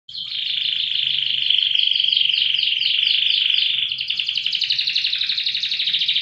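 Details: Loper-style contest canary singing with long duration and strong volume: a continuous, rapid, buzzy trill held for about four seconds, then shifting into a pulsed, rattling trill. A faint low hum sits underneath.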